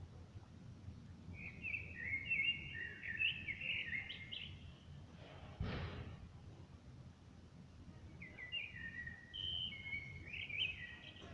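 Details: Common blackbird song outside a window, smartphone recording: two rich, whistled warbling phrases separated by a pause, with a sharp thump midway and a constant low droning hum underneath.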